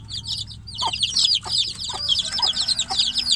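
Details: Shut-in chicks cry for the mother hen outside their cage: loud, high-pitched, downslurred peeps crowd together without pause, growing stronger toward the end, above a quiet low drone.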